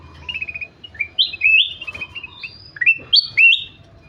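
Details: Kutilang emas, the ruby-throated bulbul, singing energetically: a rapid run of bright whistled notes, many slurring sharply upward, with a few short trills, closely spaced for about four seconds.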